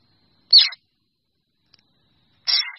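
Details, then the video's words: Two short harsh, scratchy calls about two seconds apart from a drongo calling its flock, with near silence between them. "Tiếng Chèo Bẻo kêu gọi bầy"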